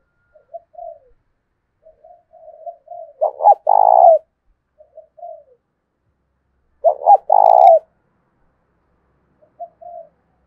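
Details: Spotted dove kept as a decoy, singing in the 'thổ đồng' voice to challenge for a fight: scattered quiet coos build into a stuttered, buzzy double note and prolonged rolling coo, repeated twice with soft notes between.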